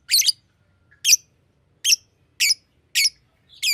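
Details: Loud, piercing chirps from a green lovebird, each a short harsh burst repeated roughly every half second in a steady series.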